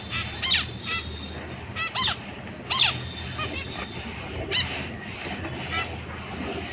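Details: Zebra finch calls: short nasal, down-slurred notes repeated irregularly, roughly every second or so, over a strong broadband background noise.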